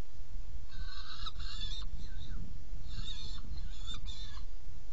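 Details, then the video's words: Saker falcon, nest box feeding on 17 June 2018 at 10:31: paired bursts of grating, nasal calls with short gaps between, against a continuous low rumbling background. "Kerecsen fészekdoboz 2018.06.17. 10:31 etetés"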